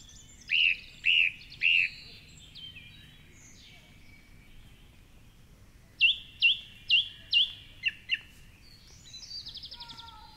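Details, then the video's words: Song thrush at dawn, 4.45am, singing from the top of a tall tree along the Curragheen River, Cork City: a loud phrase given three times, a pause, then another phrase repeated four times and a thin trill. "Dawn Chorus with Song Thrush"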